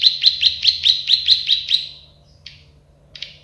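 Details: Plain prinia (prenjak sawah) in a tutor recording: about nine quick buzzy notes in an even run, trailing off into quiet, then a couple of isolated chips.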